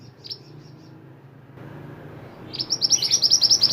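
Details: Pied bushchat (mantenan) singing lively, a recording meant for training other songbirds: quiet low hum at first, then in the final second a fast run of sharp, high chirps repeated several times a second.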